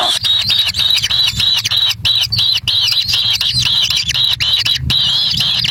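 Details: Wild kingfisher nestlings jostling for a black lizard delivered by their parent at the nest: steady, piercing high-pitched wheezy squeals run almost unbroken, with short gaps, above a faint low background rumble.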